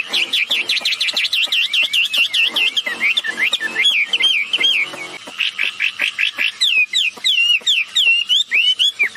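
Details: Female and male wambi birds calling, used to coax other birds into sound; a smooth series of rolling, wave-like whistled notes, then separated arching whistles with clicks in the gaps.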